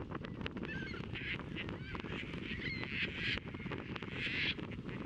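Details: At Montrose Beach in Chicago on April 22, 2024, courting Caspian terns catch and offer fish, then mate. Raspy, grating calls come in quick bursts, with thinner sliding notes among them, against a constant low roar of wind and water.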